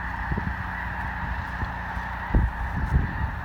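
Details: Large flock of snow geese stopping over during migration at Columbus, Nebraska, swirling overhead; many overlapping calls blend into a steady, unbroken din, with low thumps and rumbling noise underneath.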